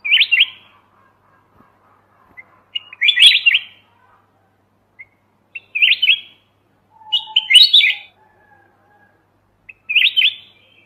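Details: A mountain red-whiskered bulbul sings to lure birds into a trap, its brief jaunty warbles repeating every two to three seconds against a quiet, clean background.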